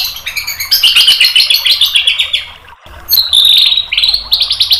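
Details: White-rumped shama tutor song played to provoke a reply, with dense rapid chattering and buzzy trills high in pitch, a short pause, then bright whistled notes and fast rattles.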